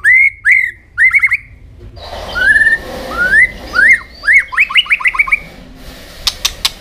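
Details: White-rumped shama singing while flicking its tail, a fighting-style song used to rouse other shamas: a run of rising whistled notes near two kilotones of pitch, then quick rippling upslurs, ending with a few sharp clicks.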